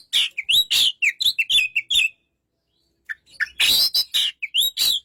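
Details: An Oriental magpie-robin gives a two-second run of loud whistled and buzzy notes, falls silent for about a second, then resumes with harsh rasps and sliding whistles.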